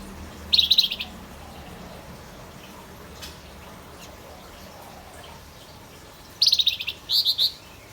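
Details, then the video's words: Male Javan white-eye in full song, giving quick high twittering bursts: one brief phrase early, then a longer run of rapid chirping notes in two parts near the end, with quiet low background between. "Suara burung Wergan Jawa‼️ FLAMBOYAN JANTN GACOR"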